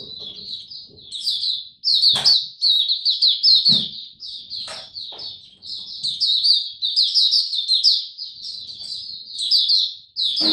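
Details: Song display of a caged mata puteh, the Oriental white-eye, 26 November 2022: long, rapid, high-pitched twittering strings with brief breaks, and occasional sharp taps in the background.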